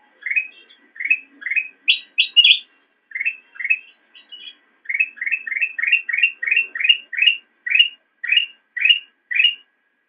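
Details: Black-crested bulbul singing, prepared as training material for cage birds: a long steady string of sharp, rising whistled notes with a few higher, squeakier notes early on. The background is quiet.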